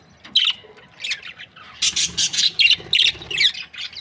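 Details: Budgies from breeding pairs of this Australian parrot giving rapid harsh squawky chirps, about two or three per second, in a rough rhythmic run of high scratchy notes.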